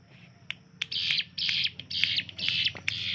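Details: Caged hill prinia kept as a tutor bird for training other songbirds, its rapid 'tembakan' song likened to gunfire: a few harsh buzzy bursts, irregular at first, then coming about twice a second, in a small room.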